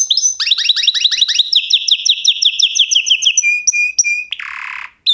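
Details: Canary song opening with quick rising chips, flowing into a fast descending trill, then a few flat whistled notes and a short harsh buzzy burst near the end.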